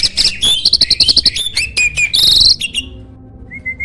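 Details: Training master from a champion contest starling with a loud voice: fast trilled rattles, sharp whistles and a high buzzy run of notes, fading into quiet and ending with one soft level whistle.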